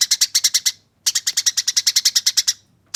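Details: Eurasian tree sparrow fighting song used as training audio: loud, harsh, clear chirps delivered in fast rolling bursts, about seven notes, a one-second pause, then a run of about thirteen evenly spaced notes, with another burst starting at the end.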